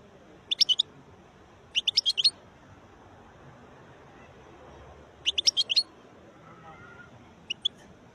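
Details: Wild European goldfinch giving short clusters of sharp, clicky high notes, three or four per burst, spaced a few seconds apart over a faint hiss of background noise.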